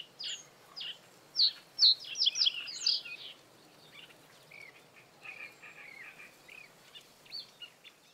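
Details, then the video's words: Breeding-season male common reed bunting singing in reeds over water to hold territory; a dense burst of high, chirpy notes lasting about two seconds, followed by softer, sparser twittering notes. "Bird sounds – Common reed bunting (Emberiza schoeniclus)"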